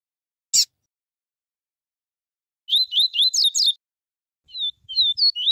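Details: Double-collared seedeater song in the pure tuí tuí and viviti tel tel styles, used as a singing warm-up: a sudden click, then a quick run of high, looping whistled notes repeated rapidly, a pause, and a shorter burst of sliding chirps.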